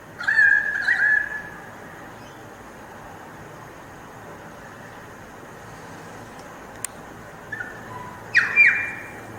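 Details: Pied currawong in Australia giving loud, harsh squawking calls in two bursts, one at the start and another near the end, with a quiet gap between them.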